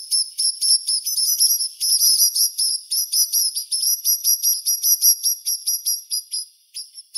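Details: High thin chirps and whistled twitters from a White-winged snowfinch, uttered in a nearly continuous irregular stream for seven seconds against a quiet background.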